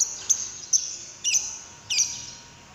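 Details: Lovebird lure calls meant to get another lovebird singing: four sharp, high squeaks spaced about half a second apart, the last two slightly fuller and buzzier.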